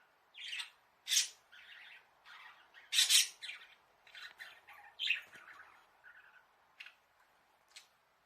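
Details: Pet budgerigars in a small bird house, filmed by a hidden camera, calling as if asking their owner to play: a run of harsh, buzzy squawks and chirps in uneven bursts, some loud and broad, others soft and chattering.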